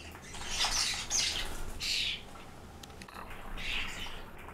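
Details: Several common starlings making a noisy racket: rasping, hissy squawks in three broad bursts, the loudest near the start, with a low steady hum underneath.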